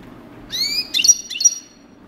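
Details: European goldfinch singing in the coupleur style: a rising harmonic note, then bright chirps and a sustained high whistled tone in a short phrase, over a faint low hum.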